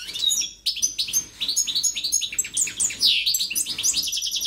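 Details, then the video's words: European goldfinch kept in a cage delivering a strong, rapid jumble of tinkling twitters, slurred chirps and buzzy trilled phrases without pause. "JILGUERO CANTANDO"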